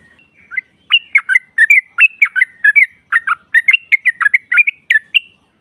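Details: Female yellow-vented bulbul call used to provoke rivals: lively, uneven chatter of sharp, twisting whistled notes that rise and fall, delivered in quick clusters for about four seconds.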